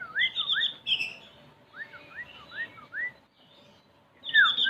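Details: Male Javan grey-throated white-eye giving clear whistled notes that slur up and down, a run of four looping whistles in the middle, with brighter high chirps at the start and end.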